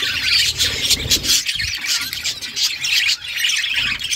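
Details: Budgerigar chicks being fed by their mother; continuous grating, squawky chirps, louder and fuller in the first second and a half.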